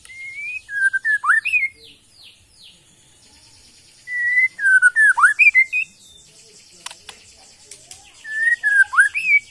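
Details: White-rumped shama originating from the Kalimantan forest on Borneo: three bursts of clear whistled phrases with sliding rising and falling notes and quick flourishes, separated by short pauses, over a faint high background hiss.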